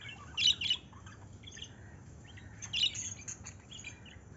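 Lovebirds give shrill, squeaky chirps in two short bursts, one near the start and another about two seconds later, over a low background hum.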